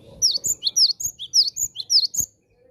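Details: Caged Javan sparrow calling out to wild birds of its kind: a fast, even series of bright, high chirps, roughly nine notes in two seconds, ending abruptly.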